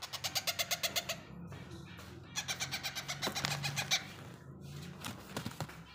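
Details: Yellow rose-ringed (ringneck) parakeet chick begging at feeding time in rapid, harsh pulsed chirps, about three per second, in bursts with short pauses; faint music and room noise behind.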